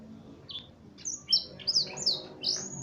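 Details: Tutored F1 canary, blackthroat-style phrases: a brief high note, then a run of bright descending whistles and sharp chirps, quickening toward the end.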